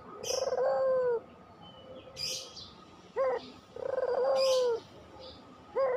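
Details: Puter dove singing in pelung style as a lure: two long level coos, each followed by a quick upward note. Loud high chirps and twitters from small birds are heard throughout.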